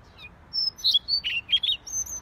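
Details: Siberian rubythroat singing: a short, lively phrase of about seven clear, high notes, some thin and level, others buzzier and lower, delivered quickly over roughly one and a half seconds.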